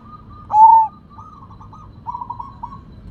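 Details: Sumbawa zebra dove (perkutut), described as rare and singing in full voice with a big sound: one loud, clear drawn-out coo, then a run of soft rolling, trilled coo notes at a steady low pitch over a faint low rumble.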